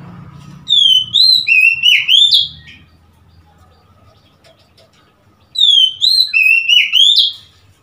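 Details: On 3 March 2021 an Oriental magpie-robin repeats the same loud whistled phrase twice, about five seconds apart, each a string of swooping clear notes ending in a rougher note, with faint low rumble between.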